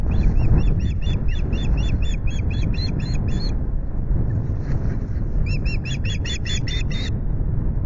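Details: Osprey at its Loch Garten nest in the evening gives two strings of shrill, evenly spaced whistled chirps, separated by a pause of about two seconds, against heavy wind rumble.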